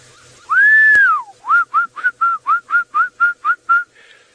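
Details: A Lizard Buzzard calls from a perch during a 5:30 AM sunrise drive on March 7, 2018, in Djuma Game Reserve, Sabi Sand, South Africa. It gives one long, slurred whistle, then about ten quick, even, clear whistled notes, not the full call.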